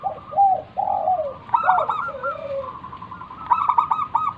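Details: Local zebra dove in full cooing song, used as a lure to draw other doves into calling: soft low rolling coos, then quick stuttering trilled notes, repeated.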